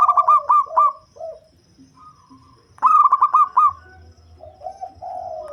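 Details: Deep-voiced local zebra dove, used as a lure bird, utters two bursts of rapid staccato coos. They are separated by quieter softer notes, with lower-pitched cooing toward the end.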